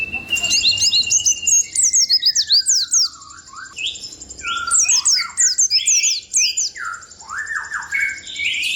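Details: White-eye in ngalas ngerol rolling song: fast high chirps and sharp downward flicks run on continuously, mixed with a long thin whistle and lower descending slurred notes, steady faint background hiss.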